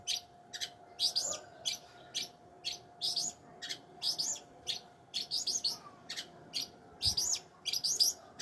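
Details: Long-tailed shrike singing a steady stream of short bright chirps and scratchy double notes, repeated at a brisk pace, with a faint continuous hum and one low knock.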